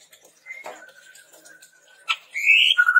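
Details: Red-rumped tepus training lure: a faint, level, sustained whistle, a sharp click, then a loud rising buzzy note and a steady whistle.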